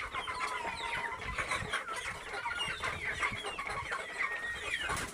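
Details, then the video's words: A free-range flock of local chickens keeping up a constant mix of short rising and falling peeps and cheeps, many voices layered over a faint background hum. "Enkoko Enganda Local chicken"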